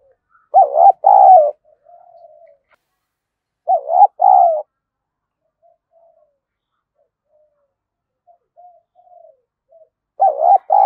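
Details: Spotted dove coo used as a decoy to lure wild doves: loud, low, hollow two-part coos repeated three times, separated by pauses with faint soft murmuring notes between phrases.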